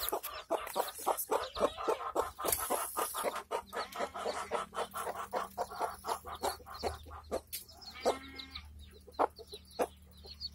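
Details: Village hen and chicks feeding; dense fast clucking mixed with other fowl voices and background noise, a brief harsher squawk near eight seconds.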